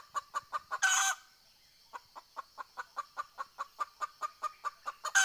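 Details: Decoy junglefowl hen luring wild birds, 20 April 2020: rapid clucks, a short raspy squawk, a brief pause, then a long steady series of crisp clucks about four per second, ending in another harsh burst.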